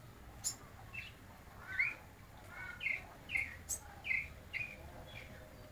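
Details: Soft midday song of a White-necked thrush: a series of short whistled notes at a steady medium pitch, about one per half second, over quiet ambient hiss.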